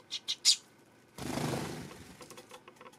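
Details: Eurasian tree sparrow on September 12: three short, loud, high chirps in quick succession, then a burst of rushing noise like wingbeats, followed by faint scattered ticks.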